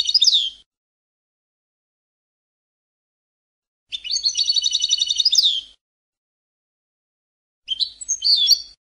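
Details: European goldfinch song: three separate bursts of high twittering, the middle one a rapid buzzy trill of repeated notes, the others short tinkling phrases, with silent gaps between them.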